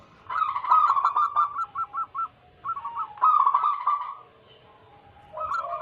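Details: ['Local wild zebra doves used to lure wild doves. Bursts of fast, repeated bubbling coos start and stop. The song breaks into separate notes, then falls silent before a softer coo at the end.']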